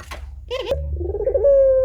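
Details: Puter pelung turtle dove in full voice, used as a training recording: a short throaty coo followed by a rolling note that settles into a steady, sustained mid-pitched hum, over a low background rumble.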